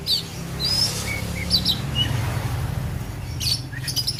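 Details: Kept oriental magpie-robin from Aceh singing: scattered clear whistled notes and a rising slur, then harsh buzzy bursts near the end, over a steady low hum.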